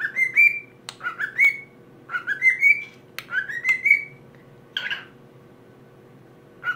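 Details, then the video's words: Cockatiel whistling the Addams Family melody to a plush toy: bright upward-sliding whistled phrases in quick succession, a short harsher note near the end, and a final brief whistle. "Addams Family Cockatiel Cover"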